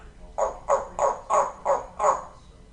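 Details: Einstein, a female pet African grey parrot in Texas, mimics a dog's bark: six short, hoarse woofs, evenly spaced about three a second, with a faint high hiss above each; Grey parrot.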